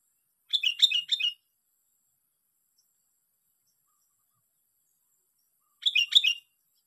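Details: Sooty-headed bulbul, lured and caught, utters two short, rapid bursts of bubbling, warbled notes about five seconds apart, with silence between.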